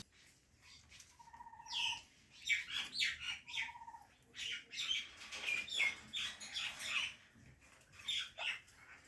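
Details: Parrot chirping, given as an Indian ringneck, with rhythmic bursts of harsh, buzzy chirps and squawks pulsing about twice a second, plus a few short clear whistles early on.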